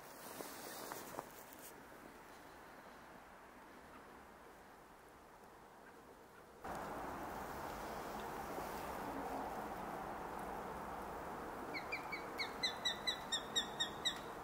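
A Canada jay gives a quick run of about nine clipped, slightly nasal notes, roughly three per second, over a steady rushing, wind-like background.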